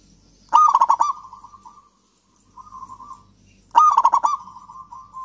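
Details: Local zebra dove in lively song, meant to stimulate silent doves: two loud phrases of rapid staccato coos, each flowing into a steady buzzing trill, with a quieter purring phrase between them.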